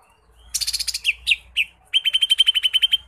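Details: Energetic lesser green leafbird song with varied fill-in phrases. A harsh buzzy trill leads into a few slurred whistles, then a fast, even run of about a dozen clear whistled notes.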